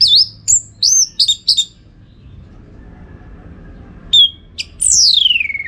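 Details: Orange-headed thrush song used to train contest birds, from Singaraja in northern Bali: a burst of high whistled and chattering notes, a quiet gap, then sharp notes ending in a long descending whistle.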